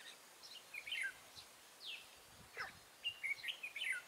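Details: Trapping scene on 14 March 2017 with a lure red-whiskered bulbul: quick chirped notes and warbling bursts, including a downward sweep and a cluster of bright chirps near the end.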